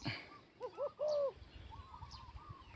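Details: Male spotted dove kept as a ground-trapping decoy at Ban Khok Noi, Na Chaluai district, Ubon Ratchathani, Thailand. It gives low mellow coos: two short notes, then a longer drawn-out coo, then softer, quicker coos. Faint chirps sound higher up.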